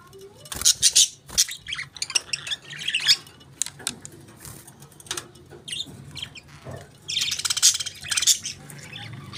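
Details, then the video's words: Budgies chirping: busy scratchy chatter with sharp high chirps coming in clusters, a longer dense burst near the end, and a low hum underneath. "Budgies Beautiful Chirping Sounds"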